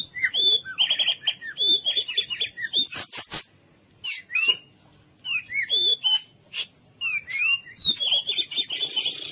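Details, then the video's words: White-rumped shama (murai batu) song for waking quiet, lethargic birds: clear whistled phrases and slurred up-and-down notes in short bursts, with a brief sharp high chatter and short silent gaps. "Musik terapi untuk murai bisu dan loyo"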